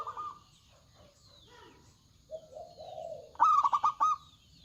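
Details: A loud-voiced local zebra dove sings. Quiet, low coos lead up to a sharp, bright phrase of quick stuttered notes near the end.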